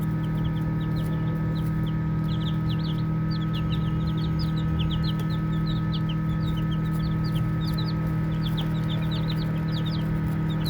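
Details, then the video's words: A group of baby chicks chirps continuously as they play, with thin high peeps scattered densely over a constant low droning hum. "Baby Chicks Chirping Sounds"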